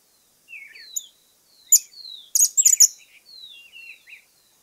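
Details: Argentine Cattle Tyrant: loud, sharp, very high chattering bursts that break into a rapid scratchy twitter, over softer thin descending whistles from other birds in the background.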